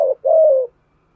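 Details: Short burst from a decoy spotted dove of the 'giọng thổ' voice style, urging coos to lure wild doves: a brief low note followed by a longer, steady, mellow coo.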